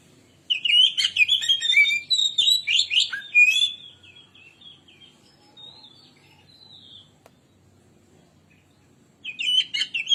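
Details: Gacor Oriental magpie-robin singing to trigger other birds: three seconds of rapid, scratchy whistled phrases, a soft thin whistle in the quiet gap, then another loud burst.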